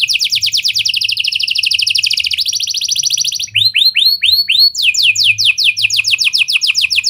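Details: Canary song in lovebird and prenjak style, meant as a lure to set other canaries singing long: fast high trill of repeated downslurred notes, then looping descending chirps, then another rapid trill.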